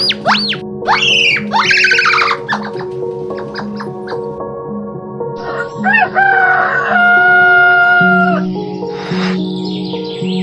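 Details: Rooster crowing: a loud, harmonic call that climbs briefly, then holds a steady drawn-out tone for about two seconds near the end, over continuous background music, with other rising bird calls and chirps earlier.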